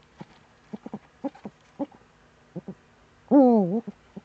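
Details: Morning recording of a Eurasian eagle-owl in Germany's Eifel, September 2013. Quiet irregular clicks lead up to a single loud, harmonic wail that bends down and back up, followed by a few more ticks.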